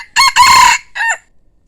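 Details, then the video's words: Loud, close crow from a decoy cockerel: a clipped first syllable, then a long raspy sustained note, then a shorter falling tail note. Silence follows. "ไก่ต่อสวย, ขันม่วน saib qaib cuab qua zoo nawb"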